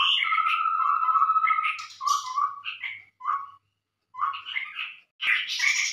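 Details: Lure call of the scarlet-rumped babbler, played to attract birds: a held whistled tone under bubbling chatter, then short choppy phrases broken by brief silences and a loud burst at the end.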